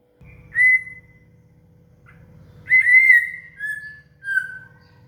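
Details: Shama (murai) song for training a cililin: clear, drawn-out whistled notes, each level or slightly falling, separated by short pauses, with a low steady hum underneath.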